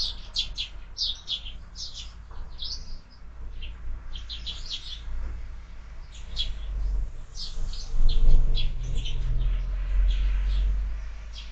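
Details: Sparrows chirping at a feeder fixed to a window in the morning; rapid high chirps cluster in the first half, thinning later as low rumbling noise and a brief flutter rise.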